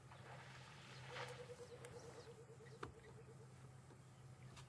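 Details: Burchell's coucal, the rainbird, calling in the background during a January 18 afternoon safari drive at a waterhole where a bull elephant drinks. A soft, evenly spaced series of low hooting notes runs for about two seconds over a steady engine hum, with other birds chirping.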